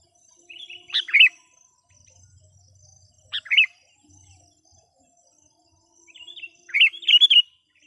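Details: Sooty-headed bulbul used as a decoy to bring in wild bulbuls sings three brief, bubbly, slurred phrases spaced a few seconds apart, the last one longer and more rolling.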